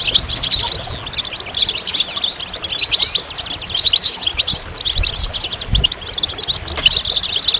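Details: Goldfinch singing high, fast, jingling twitters and buzzy trills in dense phrases, with a short break near the middle and clean background.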